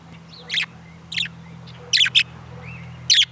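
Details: Budgerigar kept as a pet, recorded outside, giving loud grating chirps, one doubled, roughly every half to one second, with softer short whistles between them and a low droning hum underneath.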